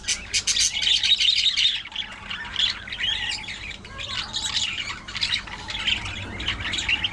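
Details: Budgie chatter, a continuous jumble of squawky chirps, rasps and short warbled phrases, loudest in the first two seconds, then steady babbling with brief dips.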